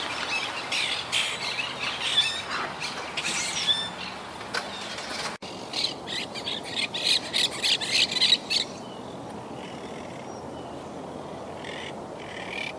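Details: Wild Quaker parakeet colony at a yacht club, a group rebuilding after Hurricane Irma in 2017 and nesting high in trees. Many harsh, overlapping squawks come in bursts, with a brief break midway and then more scattered screeches.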